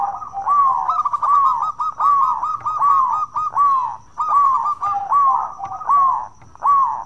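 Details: Local zebra dove in full song, meant to prompt other doves into singing: bubbly, slurred coo notes repeated steadily, roughly one or two per second, with brief gaps between phrases.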